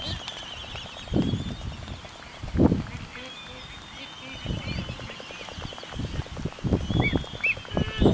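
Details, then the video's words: Black-footed albatrosses courting on Midway Atoll in 2010 give low, hoarse groans and rasping bursts at irregular intervals, with a few squeaky notes near the end, over a constant high hiss from the seabird colony. "Black-Footed Albatross Courtship"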